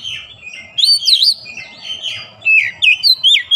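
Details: Kacer, an Oriental magpie-robin, singing after being prompted: soft rambling warbles give way to loud twisting whistles and a closing string of quick bright slurred notes, with a low hum behind.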